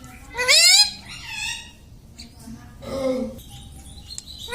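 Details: Talking pet parrot mimicking words like "mummy": a loud squawky rising phrase, then a softer harmonic utterance, followed by a lower human-like voice and faint clicks in a quiet room.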